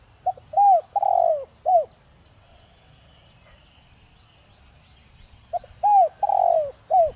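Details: Caged decoy spotted dove of the 'giọng đồng' voice type, kept to stir wild doves to answer: two full cooing phrases about five seconds apart, each with a brief lead note, arched coo, drawn-out burry coo and closing short coo.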